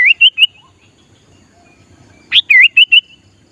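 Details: Sooty-headed bulbul used to lure wild bulbuls sings two short bubbly phrases, each a sharp upward note followed by wavering whistled notes, separated by nearly two seconds of quiet.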